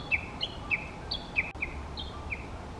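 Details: On a hot midsummer day in the early morning, in the mountain forest of the Okutama area in Tokyo, a Warbling White-eye gives thin, high chirps, about three per second, some slightly higher than others, over a low steady background hum.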